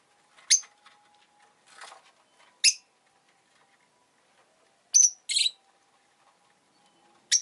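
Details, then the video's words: Rosy-faced lovebird uttering short, piercing, high chirps at irregular intervals, some single and one quick pair, over a quiet background with a faint low hum. "Lovebird Chirping Sounds"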